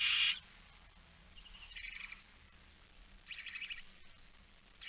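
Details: Lone barn owl chick at its nest on an evening in September 2019. A sharp opening screech is followed by two drawn-out, noisy rasping hisses with quiet gaps between them.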